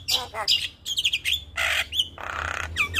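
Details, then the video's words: Black-winged starling with white eyes, a champion singer, in a morning tutor recording: harsh raspy squawks and broad noisy bursts interleaved with short upslurred whistles, loud and close, over a low background hum. "Masteran Jalak Kebo Full Isian Tayang Setiap pagi - Jalak kebo Mata Putih Juara Kicau"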